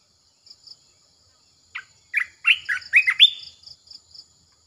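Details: Red-eyed bulbul decoy song for luring birds: a lively run of short, rising, chirpy whistled notes with bubbly inflections, delivered in about two seconds. A faint, steady pulsing insect buzz runs alongside.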